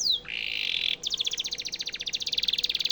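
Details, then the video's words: Canary singing, offered as a master song for training White-rumped shamas: a falling whistle, then a steady buzzy held note for nearly a second, followed by a fast pulsing trill of bright repeated notes. "Suara burung kenari cocok untuk masteran murai batu"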